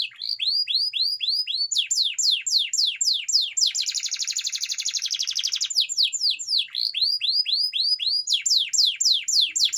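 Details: Training song of a canary: repeated rising whistled notes, then fast downslurs, then a dense buzzy roll lasting about two seconds, before the rising notes and sweeps return.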